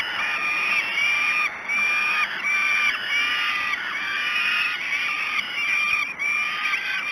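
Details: Falcon chicks at Great Spirit Bluff begging during breakfast feeding on 5 June 2016 at 06:54, a steady stream of harsh, insistent wailing cries repeated nearly without break, about one every second and a half.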